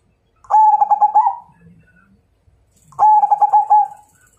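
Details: Zebra dove of the Majapahit strain giving its fighting-challenge song: two bubbling cooed phrases, each a quick run of short notes ending in a longer falling coo, about two and a half seconds apart.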